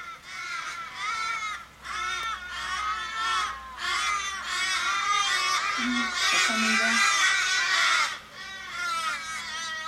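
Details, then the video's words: Flock of fifteen or more Australian ravens circling a struggling, dying raven in a Kellyville, Sydney street, 1 July 2012, calling in distress; dense chorus of loud overlapping harsh wailing caws, almost continuous, with brief low hums beneath. "Australian ravens mourning member's death"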